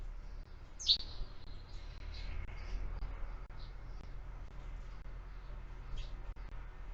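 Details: Sparrows feeding at a feeder mounted on a window: one sharp, loud high chirp early on, then scattered faint, brief high tweets over a steady low rumbling hum.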